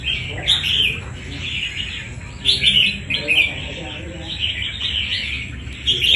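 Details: Fighting red-whiskered bulbul taken from the wild: short, bright, chirpy warbled bursts roughly every half second to second, with louder flourishes near 2.5, 3.2 and 6 seconds over a quiet background.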